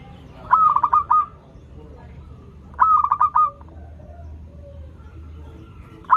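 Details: Local zebra dove giving its song as a lure for doves learning to sing. Rapid bursts of stammered coos close with a longer held note, repeated roughly every two and a half seconds over faint background hum.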